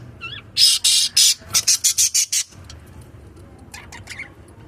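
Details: Pet lovebirds in India giving a burst of harsh, broadband screechy chirps, about eight rapid notes over two seconds, followed by quieter squeaky twitters near the end.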